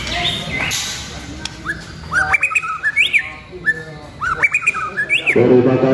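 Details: Murai batu pastol, a White-rumped shama being trained as a future champion, delivers loud rising whistled phrases repeated in short bursts, with sharp clicks between them and a thud near the end.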